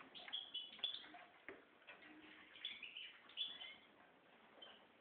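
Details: Goldfinch mule, red mosaic white, giving bright chirping notes and short whistles in two lively bursts in the first part, fading to softer scattered twitters, with a single dull knock heard.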